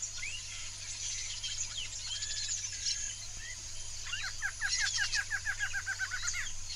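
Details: Yellow-rumped Marshbird, wild in a swamp: a rapid run of sharp, slurred notes, about six per second, over a busy chorus of high chirps and a low steady hum.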